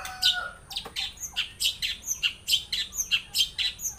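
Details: Long-tailed shrike in song with mimicry, a fast varied run of chirps, trills and slurred notes, roughly three per second, opening with a brief lower whistle.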